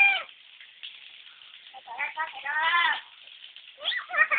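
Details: Lory imitating a crying baby: wavering, harmonic wails sliding down at the start, a long rising-and-falling cry near the middle, and more bent cries at the end, with quiet gaps and faint background hiss.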